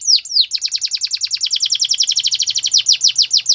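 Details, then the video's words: Canary singing a rapid trill: two opening downward sweeps, then a long run of quick repeated downslurred notes about eight per second, ending in slower, wider sweeping notes; high and bright, with a faint low hum behind. "The BEST Canary Sounds!! Canary Training"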